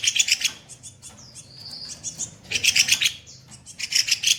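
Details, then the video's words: Kopi-kopi bird singing rough 'tembakan kasar' phrases as a training master for other songbirds: three loud, buzzy, fast-rattling bursts with a thin whistled note and soft chatter between them. "Masteran burung KOPI KOPI bahan gacor tembakan kasar"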